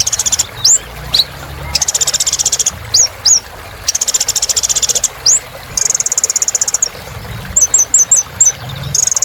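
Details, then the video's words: Kolibri ninja sunbird in vigorous song for coaxing silent caged birds back into singing: long rattling high trills broken by sharp rising whistles, ending in a quick series of short upslurred notes. "Kolibri Ninja Gacor Untuk Terapi Burung Macet Bunyi"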